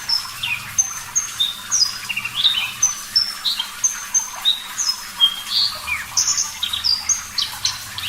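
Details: Javan bush lark (parva), clear-voiced and singing actively for caged-bird training: varied high, thin whistles, some flat and some sliding down, mixed with quick chirps in an unhurried, rambling phrase.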